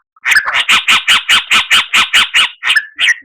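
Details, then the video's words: Oriental magpie-robin song, used as a masteran tutor recording valued by songbird keepers for its varied fills. A run of loud, harsh, buzzy notes repeats about four times a second, then ends with a slurred whistle. "Masteran Murai Batu"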